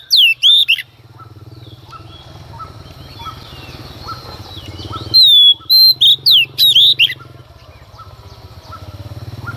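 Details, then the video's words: Female Oriental magpie-robin singing early in the morning to provoke males: two short bursts of loud, swooping whistles over a steady low hum and faint repeated piping notes in the background. "Choè than mái hót kích trống hót căng sáng sớm"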